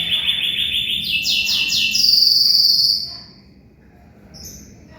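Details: Canary in strong song, used as tutor material for magpie-robins: rapid trilled tours at steady pitch, jumping higher in steps, ending in a loud pure whistled roll, then fading softer phrases.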